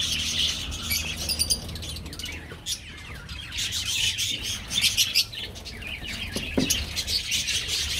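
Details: Colony of budgerigars in an aviary, many birds chattering at once in dense, overlapping high chirps and warbles, with brief sharper squawks rising above the steady twittering.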